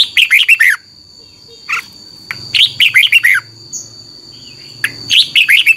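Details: Red-whiskered bulbul song played for caged birds to learn: three fast phrases of five or six warbling, downslurred notes, roughly two seconds apart, with a single note between them and a faint low hum.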